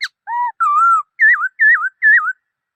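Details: Black-throated laughingthrush giving a short steady whistle, then a longer level whistle, followed by three matching wavy whistled phrases about half a second apart. The setting is quiet.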